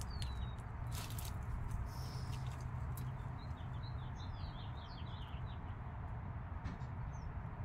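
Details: Five-day-old chicks with their mother hen: clusters of short, high, downward-slurred peeps, several close together mid-clip, over a steady low rumbling background.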